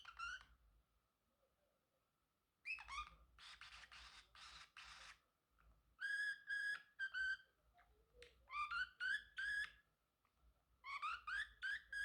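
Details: A male Pacific parrotlet, a talking pet, chatters in short bursts of bright, whistled notes that bend up and down, mixed with a few harsh, scratchy chirps, in a quiet room.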